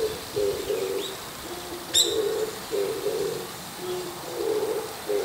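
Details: Oriental turtle dove calling in the morning while perched on top of an antenna: low, hoarse cooing phrases in a steady rhythm, each about half a second long, with a brief sharp chirp from another bird partway through.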